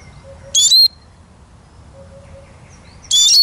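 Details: Eurasian siskin giving two short bursts of high, sharp twittering notes separated by a pause of over two seconds, against a quiet background.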